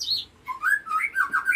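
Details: A captive fledgling White-rumped Shama, kept as a prospective song-competition bird, gives a brief, high whistle, then a run of slurred, rising and falling whistled notes in quick succession, with a faint room hum behind.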